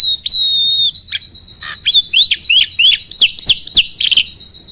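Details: Starling singing to spur other birds into song. It opens with a long, steady high whistle, then gives a string of short upslurred whistled notes roughly every third of a second, with scattered clicks.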